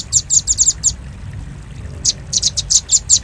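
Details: Velvet-fronted nuthatch lure recording: a short flurry of high, hard chip notes, a silent break of about a second, then another run of sharp ticks.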